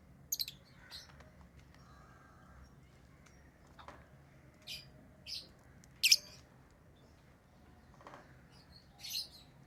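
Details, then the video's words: Pet lovebirds chirping: scattered short, shrill high-pitched chirps and squeaks spaced across the recording, with quiet gaps between them and a faint low hum in the background. "Love birds Sounds | lovebirds chirping sounds| parrot beautiful sounds"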